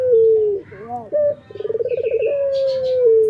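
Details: Male local puter dove cooing in the morning. A drawn-out, low falling coo, a few soft wavering notes, then a fast bubbling roll that runs straight into another long, smooth coo. Faint higher twittering sounds in the background.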